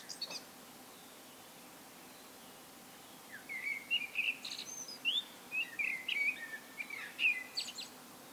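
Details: Common blackbird solo song begins after a near-silent stretch: a rapid run of sweet whistled and warbled notes, rising and dipping, with high squeaky accents toward the end.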